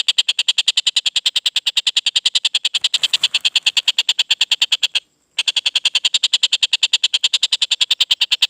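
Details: Post-moult young collared kingfisher in clear voice, repeating a harsh, ringing note about three times a second in a long, unbroken series, with a brief silent break near the middle before the calling resumes.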